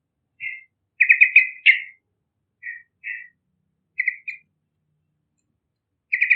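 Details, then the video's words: Song of a young Yellow-vented bulbul, a bakalan bird in lively voice, used to attract other birds; clear bubbling double notes and a rapid rolling phrase, separated by short silences, ending with a fresh burst. "Burung Trucukan Gacorrrrrrrrrr Cocok Pikat Suara Bakalan Trucukan"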